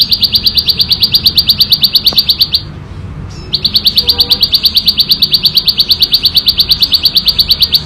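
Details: Prinia known locally as ciblek sawah, recorded in nature, giving a loud, clear continuous ngebren rattle of high buzzy notes at about three per second. The song halts briefly midway, then resumes just as fast.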